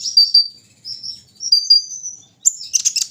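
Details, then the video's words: High, thin drawn-out whistles from a kolibri ninja sunbird set out in the morning dew, three sliding strands ending in a quick burst of sharp chips. "pengembunan di pagi hari burung Kolibri ninja"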